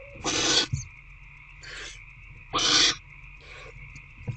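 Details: Two loud rasping screeches alternate with two softer, fainter hisses. The barn owls are in nest box C on the evening of 16 February 2024, during a food delivery, with a steady hum in the background.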